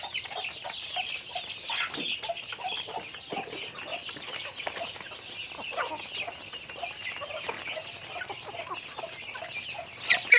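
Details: Chickens going about their daily activity, a flock clucking and chattering continuously, with many overlapping short calls and a brief louder note near the end.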